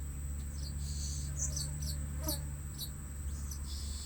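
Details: Blue-crowned hanging parrot being lured at a new trapping spot: scattered thin, sharp high squeaks come in short clusters over a steady low engine-like hum and a constant high tone.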